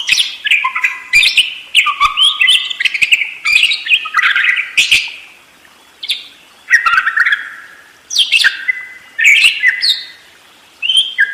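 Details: Budgerigar singing in continuous rolling chatter: a busy warble of squeaky chirps, short whistles and buzzy notes in bursts of one to two seconds, broken by brief pauses.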